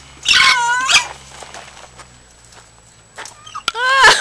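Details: Cockatoo laughing back at a woman who was laughing at it: loud, harmonic, wavering squawk-like laughs in two bursts at the start, a quieter stretch, then another strong rising-falling laugh at the end.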